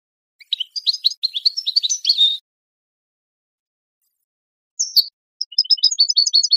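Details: A goldfinch sings in clean high twitters for about two seconds, falls silent, then starts a quick string of liquid chirps. This is a tutoring recording meant to teach young birds. No background noise.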